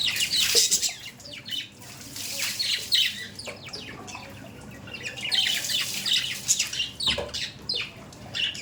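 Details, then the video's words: Several pet budgerigars calling in a dense run of scratchy chirps and squawks, with a soft wing flutter and brief quieter gaps. "Budgies parrot daily update"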